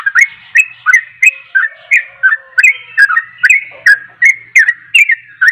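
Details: Yellow-vented bulbul singing hard, intended to trigger replies from other bulbuls: repeated warbling, upslurred notes at a brisk pace, a faint constant tone running throughout.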